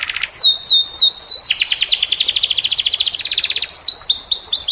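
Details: Canary singing a tutor song in the 'cengkok' style for teaching other canaries: repeated high downslurred whistles, then a long fast rolling trill, ending in more swept high notes.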